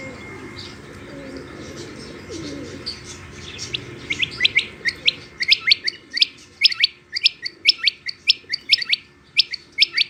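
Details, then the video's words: Rain quail, possibly a female: sharp, high, downslurred chirps in quick, uneven runs, a little over two per second, after a few seconds of low rumbling background. "Rain Quail Calling"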